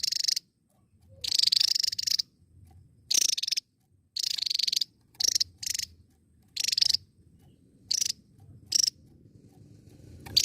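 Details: Javan tesia in full song, delivering a long series of dry, rasping pulsed rattles, some brief and some lasting almost a second, in irregular succession against a soft low background rumble.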